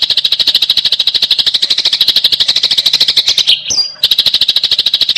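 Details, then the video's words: Eurasian tree sparrow fighting call: tightly packed, high buzzy chirps in a rapid series, briefly broken by a short gap before the dense chattering picks up again. "TEMBAKAN RAPAT || GEREJA TARUNG GACOR || BURUNG GEREJA"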